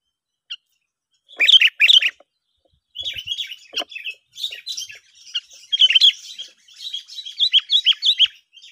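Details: Chirping duel of sooty-headed bulbuls, a sound used to lure birds for trapping: an isolated note, loud double bursts of bubbly whistles, then a long stream of quick, varied, warbled chirps.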